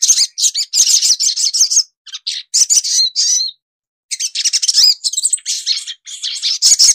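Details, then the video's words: Brown-throated Sunbird (Indonesian sogok ontong) gives a high, rapid twittering song in bursts of tinkling, sliding chirps, broken by short pauses, with no other sounds. "sogok ontong / sogon gacor dor bersih dan jernih"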